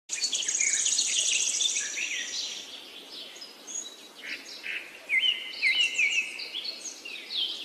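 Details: Rainbow lorikeets in an aviary give shrill, high screeching calls that open with a loud buzzy burst, then break into scattered squeaky chirps and rasping notes at varied pitch, with faint background hiss.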